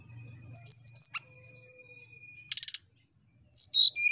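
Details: Brown-chested jungle flycatcher singing a flute-like song to provoke a rival: high warbled notes, a thin sustained tone, a short harsh buzz, then clear whistles that fall in pitch.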